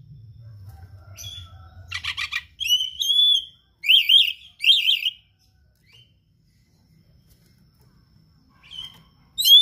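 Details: Oriental magpie-robin song rich in rare imitated material, used as a tutor: a low hum, then buzzy chattering notes, clear slurred whistles and two loud wavy phrases, a long pause, and a final bright whistle.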